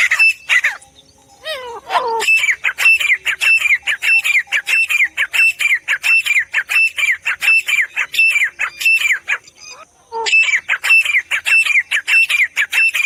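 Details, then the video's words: Teetar, or grey francolin, calling in a long run of fast, strident, repeated notes that bend slightly downward. A few lower sliding notes come near the start, and there is a short pause around ten seconds. "The Sound Of The Pheasant Bird teetar bird"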